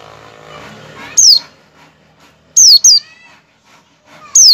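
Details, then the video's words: Oriental white-eye in ngecal-ngecal style, a lure call for prompting white-eyes to sing. High, sharply falling whistled notes come singly or doubled, roughly every one and a half seconds, over a quiet background. "pleci ngecal-ngecal buat pancingan pleci agar pleci buka paruh dan pleci gacor"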